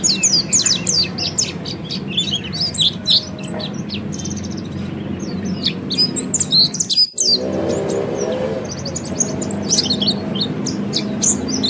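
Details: Oriental white-eye training song in the ngeriwik style: a dense flurry of high, thin chirps and twitters, a brief break near the middle marked by a soft thump, then the twittering resumes over a low hum.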